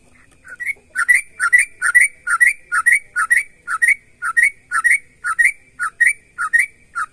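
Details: Sooty-headed bulbul singing energetically, used to prompt other bulbuls to sing back: a fast run of short bubbly two-part whistled notes, each dipping then rising, repeated about twice a second without a break.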